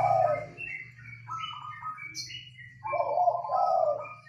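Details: Local zebra dove in a rattan Mataraman-style cage, singing steadily: soft, mellow cooing phrases in rapid staccato notes, with a fuller burst near the end and a faint low hum behind.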